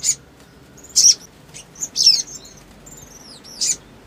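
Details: Loud, thin sunbird chirps, roughly one a second, mixed with quieter high, descending whistled slurs; a male sunbird in song against a quiet background.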